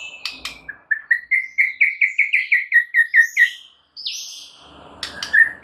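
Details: White-rumped shama (murai batu) on a training recording for other shamas, singing a rapid series of about a dozen repeated whistled notes, then a higher sliding whistle and a few sharp chirps.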